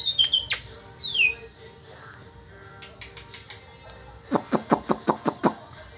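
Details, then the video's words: Starling with a strange, melodious voice gives descending and rising whistles, goes nearly quiet with a few soft chattering notes, then ends with a burst of eight sharp, evenly spaced clicks. "Dengar suara aneh tapi merdu burung JALAK"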